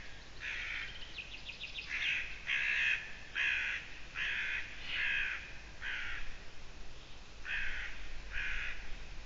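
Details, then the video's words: Eurasian eagle-owl on the evening of 6 June 2017 gives a long run of about nine rough, grating screeches, roughly one per second. A faint rapid ticking sound comes before the series. "Ūpis Eurasian Eagle owl 2017-06-06 on the edge and Ms.Bo call 20:28"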